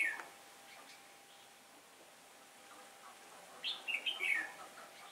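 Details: Red-whiskered bulbul singing competitively as a decoy for trapping wild birds, on a windy-change day, 15 October 2017. After a long quiet stretch comes one lively burst of rolling, warbled notes.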